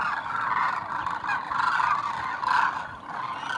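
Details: Thousands of migratory Demoiselle cranes landing at a water hole in Khichan, Rajasthan, India; a dense, continuous chorus of overlapping honking, rattling calls swells and fades in waves, with a faint low rumble beneath.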